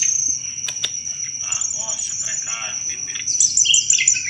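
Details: Sunda robin chattering song, intended as a lure for thrushes: soft warbled twitters building to a run of quick repeated high notes near the end, with a steady shrill background tone.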